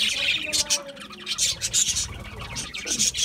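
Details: Several budgies feeding on mixed seeds, producing a dense, continuous high chirping and twittering with sharp squeaky notes rising out of the flock noise.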